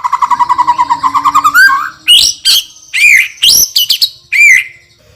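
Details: Champion white-rumped shama delivering a sharp, loud song: a rapid pulsing trill rising in pitch, then bright upslurred and down-slurred whistles with hard clicking notes between them.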